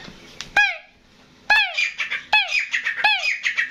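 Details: Grey francolin (desi teetar), a decoy bird kept for hunting, calling loudly: sharp harsh notes sweeping downward, repeated about every 0.8 seconds, each followed by buzzy rattling chatter, with a faint steady hum behind.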